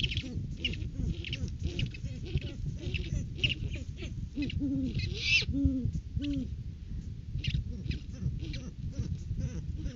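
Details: A pair of great horned owls at their nest tree on 9 January, courting season, the male bringing a rodent food gift to the female, give low, soft hoots and short wavering notes in a loose series, over steady wind and rustling noise.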